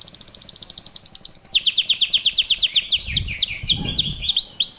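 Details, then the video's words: Canary master song to get young canaries singing fast: a rapid high chip series slipping lower, then broad V-shaped sweeping whistles, with a soft low thump in the background. "Gacor dorTembakan rapat kenari bahan ikut buyi"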